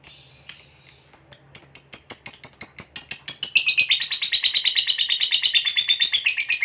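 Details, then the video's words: Fighter lovebird ngekek used to rile a rival: a few spaced sharp chirps that speed up into a continuous, rapid, buzzy chattering trill lasting several seconds, with a faint low hum behind. "Pancingan Suara Burung Lovebird Fighter Ngekek Pancing EMOSI LAWAN"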